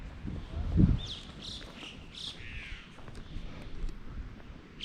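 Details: Crows at the Trou des Corneilles near Hameau de Roya, heard there for some time: a few faint, high squeaky calls, short and slurred downward, about half a second apart, over steady wind rumble and a brief low thump.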